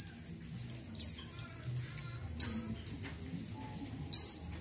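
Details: A breeding-condition female mountain white-eye calls to attract a male: two loud, thin, downward-sliding chirps about one and a half seconds apart, with a few faint high ticks and a low rumbling hum underneath.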